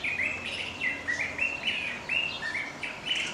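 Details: Songbird calling for its mate, delivering a quick series of clear chirps, some rising and some falling, about three to four each second, with soft outdoor hiss behind.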